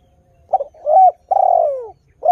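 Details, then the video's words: Spotted dove song to entice wild doves to join in: soft stuttered coo, rising note, then a long gliding falling coo, with the first note of the next phrase starting at the end; quiet background. "TEKUKUR GACOR suara merdu - berkesan memancing tekukur baru supaya ikut berbunyi"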